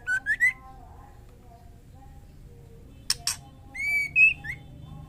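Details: A breeding-condition female white-rumped shama calls to a male: a quick trio of rising whistled notes, silence, two harsh rasping bursts, then a level whistle and a higher upslurred note.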